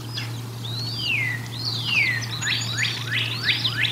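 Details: Decorah North nest, 1 April 2022, bald eagles at a feeding: two long thin whistles sliding downward, followed by a quick run of sharp falling chips, over a faint steady hum.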